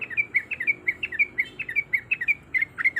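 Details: Female yellow-vented bulbul in breeding condition calling a male, a quick series of bright, slurred chirps about five per second over a hissy, humming background.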